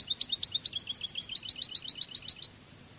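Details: European goldfinch song of the Cádiz style, recorded for a training CD: a rapid trill of paired high twittering notes, about four per second, running for two and a half seconds before stopping, over a quiet low hum.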